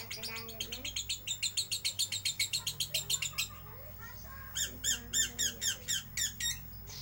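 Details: Bird-shop lovebird in full ngeriwik song: a long, rapid run of shrill, buzzy chirps, almost four a second, then a brief lull before harsher, louder chirps resume in a regular burst.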